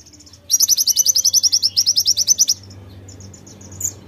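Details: Pleci (white-eye) singing konin fill: a burst of about eighteen loud, evenly spaced, high ringing chirps over two seconds, then soft high twittering and a low background hum.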